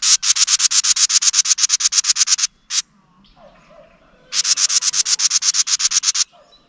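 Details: House wren, upset by a GoPro set beside its nest, gives a fast run of rasping, buzzy scold notes. After a brief gap with soft rustling, a second equally rapid series follows.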